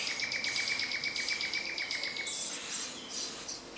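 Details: Common starling singing near Jarun, Zagreb, Croatia, spring 2017: a fast, even rattle of clicks, about four per second, over a steady whistled tone, giving way to softer high scratchy notes.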